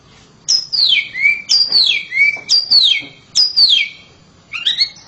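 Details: Loud song of a home-kept oriental magpie-robin: four bright whistled phrases, each sliding down from high to a lower held note, repeated about once a second, then a shorter rising chirpy phrase at the end.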